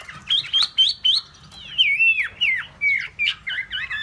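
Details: Caged hwamei sings short loud whistled phrases, some rising and some falling in slurs, with bouncy warbled notes in quick succession.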